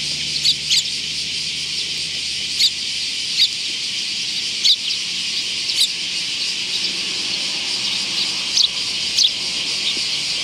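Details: Sparrows on 24 July 2019 giving scattered single high chirps every second or so. The chirps are separated by quiet stretches with faint background hiss.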